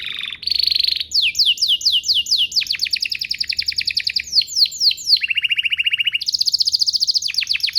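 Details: Canary song serving as a lure for other canaries to sing: buzzy opening, a string of rising swept notes, then fast descending trills and rapid rolling phrases, continuous and loud.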